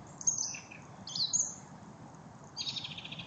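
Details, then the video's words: Thrush singing: short high whistled and trilled phrases, a sharp squeaky note near the start, a rising whistle, then a buzzy repeated trill at the end, over a steady low background hum. "Lijster zang"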